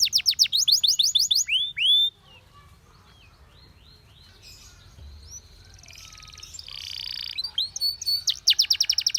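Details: Canary singing a training song for teaching canaries to sing: fast high rolling trills, then a quiet stretch of thin whistles and faint noise, ending in another rapid run of repeated notes.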